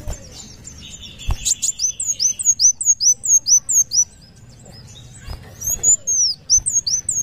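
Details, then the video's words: Sunbird, kolibri wulung, delivering a fast rattling series of high, thin down-slurred notes, about two per second, after a brief lower buzzy note, then a pause and a long arched whistle phrase. "kolibri wulung muncang daun gacor"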